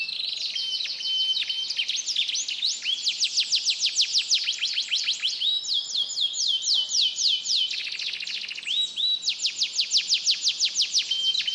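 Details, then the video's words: Canary in Pemalang, Central Java, Indonesia, pouring out a mixed imitated song: long rapid trills of repeated high notes in pulsing bursts, broken by thin sustained whistles, loud and continuous. "KENARI ISIAN CAMPUR ADUK"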